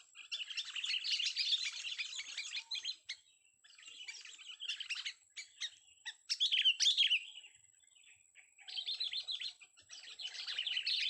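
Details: Song of a young sooty-headed bulbul, long busy bursts of rapid twittering and chattering notes broken by short pauses, with a constant faint high-pitched tone throughout.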